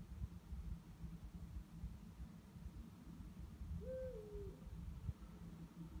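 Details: Eurasian eagle-owl at night, two birds calling; a faint, flatter, fairly even hoot lasting under a second, nearly buried in persistent deep background hum.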